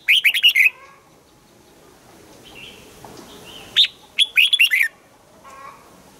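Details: A caged red-whiskered bulbul delivers a fast, bubbly phrase of chirping whistles, pauses while faint softer calls sound in the background, then repeats a similar lively warbled phrase.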